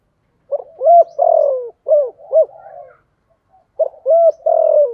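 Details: Spotted dove decoy bird in 'thúc gù' rapid cooing, deep 'giọng sấm thổ' voice: two phrases of short hollow coos, each with one long sliding coo, separated by a brief pause.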